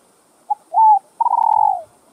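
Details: Spotted dove cooing to stimulate other doves: a brief low note, a smooth sustained coo, then a long vibrating, pulsed coo that fades downward, with faint room hiss behind.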